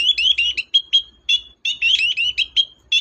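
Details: Long-tailed shrike in energetic song, used to get a silent shrike singing: rapid, twittering, whistled warbling with quick rising and falling notes in two busy runs separated by a brief pause.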